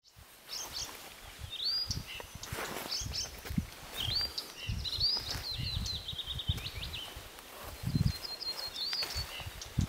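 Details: Blyth's reed warbler in Oulu, Finland, giving sharp, high chipping notes and short dry trills in loose bursts, over a steady low rumble of wind.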